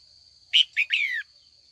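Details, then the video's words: Afternoon calling by a female red-whiskered bulbul, meant to provoke old wild-caught males into competitive singing: an emphatic chirp, a short second note and a drawn-out, gently descending trill, with a persistent high whine behind it. "Luyện chào mào mái chiều gọi bổi già rừng hót đấu ra giọng chuẩn nhất vùng miền"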